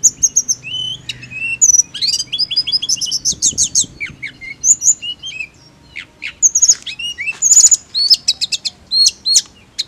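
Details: Mountain leafbird: high, busy whistles and sharp chattering notes tumble over one another in quick bursts, with bright slurred phrases and clicks filling the whole stretch.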